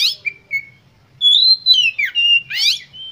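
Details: Oriental magpie-robin (kacer) singing with full emotion, used to provoke other birds into singing: loud whistled notes sliding up and down, with short sharp chattering bursts between clear phrases.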